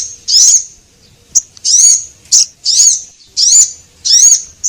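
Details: High-pitched Javan munia lure calls from a male and female: five drawn-out wavering chirps, roughly one every second, with brief sharp ticks between them in a quiet setting.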